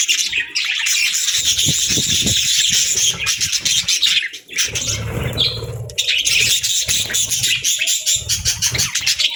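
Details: Busy warbling chatter from pet budgerigars, rapid high chirps running steadily, dipping briefly in the middle while soft low fluttering or rustling is heard.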